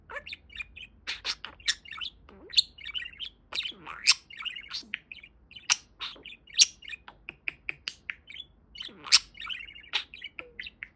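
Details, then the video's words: Pet budgerigar, a parakeet kept as a talking bird, chattering nonstop: sharp clicks, short squeaky chirps and buzzy warbled notes tumble together in irregular bursts, with brief pauses and no other sounds. "Talking Parakeet"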